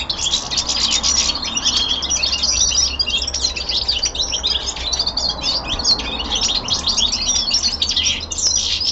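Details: Young male common linnet kept at home, singing a winter descant: a dense, continuous high twittering of rapid chirps and short trills, unbroken throughout, with a faint low hum underneath.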